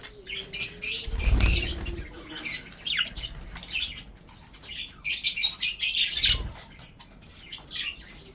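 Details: Pet breeding budgerigars chirp and squawk in irregular bursts, with low thumps like wing flaps or movement around them.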